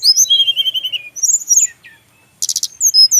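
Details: Male brown-chested jungle flycatcher, Bali, singing high sliding whistles and chirps, a short silence, then a fast buzzy trill and more thin whistles.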